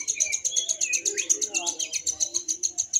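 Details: Contest lovebird singing at a Mahadewa practice event, single-fighter class. Dense, very fast, high pulsed chirping, about four pulses per second in the loudness, with a short rising whistle midway.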